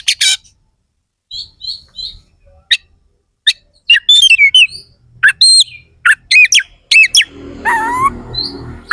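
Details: Kacer, or Oriental magpie-robin, singing scattered harsh squeaks, twangy downward slides and chatter in rough fill-in style used to provoke rival contest birds; a noisy rasping passage near the end.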